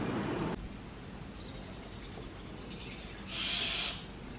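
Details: Brahminy starling chicks in a nest box that the pair took over from sparrows, being fed insects; a low rustle at the start, then one loud, harsh, hissing rasp near the end.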